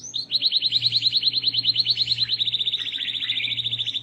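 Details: Gacor canary singing to get other canaries to respond: a long, even, rapid series of sharp repeated notes, several per second, running through the whole stretch with a faint low hum behind.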